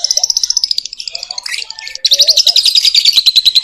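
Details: Lovebird in full, vigorous song, a rapid run of high, harsh chirping notes repeated about three times a second, pausing briefly mid-phrase before resuming louder and more continuous.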